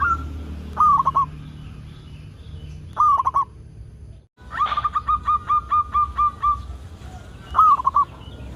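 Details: Local zebra dove singing to lure other zebra doves into song: short bubbling coo phrases at intervals, then a long even run of ringing notes followed by one more bubbling phrase.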